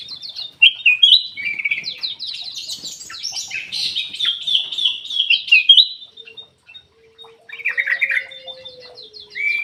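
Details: Kutilang emas bulbul song used as a lure for birds that are slow to sing. Busy, rapid twittering and quick chirped phrases fill about six seconds. A brief lull carries a faint low tone, then a short chattering burst returns.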